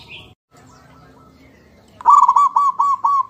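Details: Zebra dove: after a brief higher chirp and low background rumble, a quick burst of bright, hooked cooing notes repeats about four times a second.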